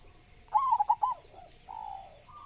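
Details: Big-voiced local zebra dove from Java, recorded to coax other doves into song. One fast stuttering coo phrase, followed by fainter drawn-out cooing notes in the background.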